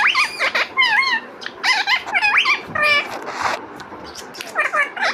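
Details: Pet parrot talking indoors, producing short harmonic vocal bursts with sweeping, wavering pitches, some buzzy and rising, in quick uneven phrases with brief gaps between them.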